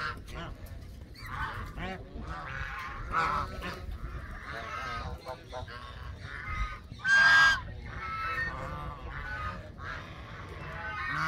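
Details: Canada geese honking in a group: overlapping nasal, harmonic honks repeated irregularly throughout, with one louder, sharper honk standing out near the end against a steady background murmur.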